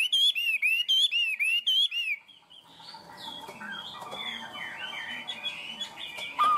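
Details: Tame Chinese hwamei singing a quick series of loud, bouncing high whistles for two seconds, then quieter warbling and chatter, ending with a single loud note.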